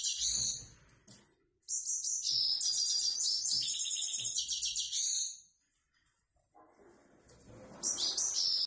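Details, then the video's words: Grey-headed goldfinch described as a 'prostyak', a plain simple singer. Dense, high twittering song of rapid buzzy trills and chatters. It comes in three bursts: a short opening phrase, a long four-second stretch, then a final burst after a pause. Faint low rumble underneath. "Седоголовый щегол ,простяк."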